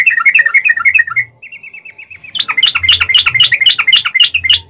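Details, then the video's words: Lure song of a yellow-vented bulbul in long 'ropel' style for prompting other bulbuls to answer: quick bubbling chirps, a soft trill, then a dense excited stretch of overlapping bright notes. "trucukan gacor ROPEL PANJANG pancingan trucukan agar bunyi"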